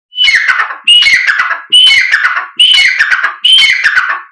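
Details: Black francolin call, played to make the bird call and excite it: five loud, harsh, grating phrases, each opening with a sharp whistled note and then a rasping, descending burst, repeated about every 0.85 seconds.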